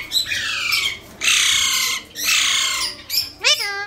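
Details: A pet talking Alexandrine parakeet gives harsh, raspy squawks in bursts about a second long, ending with a short run of clearer rising and falling notes.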